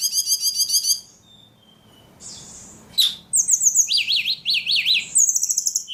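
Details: A ledekan said to sing very actively gives a fast high trill, pauses, then breaks into a sharp note, buzzy rattles and repeated wavering up-and-down warbles, ending in another high trill.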